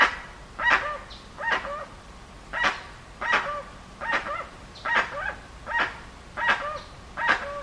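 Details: Dusky-legged guan repeats about ten harsh honking calls, roughly one per second, some ending in a short lower tonal note, in an otherwise quiet setting.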